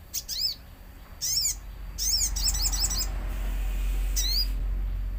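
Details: Actively singing common iora used as a lure for other ioras, with nature sounds: spaced bursts of high, harmonic chirping notes, one quick run of rapid notes, under a steady low rumbling background.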